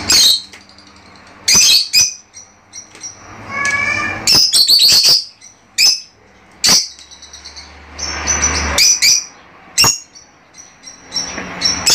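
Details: Several Fischer's lovebirds chattering to stimulate mating, in short loud bursts of sharp, high, buzzy chirps separated by brief pauses. A lower, tonal, stepped call comes near the middle, and a faint low hum runs beneath.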